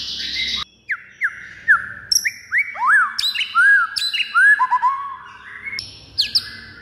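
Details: White-rumped shama fighting song meant to provoke other birds into a rage: loud, varied whistled phrases, many slurred and arching notes, with sharp high accents and short pauses between bursts.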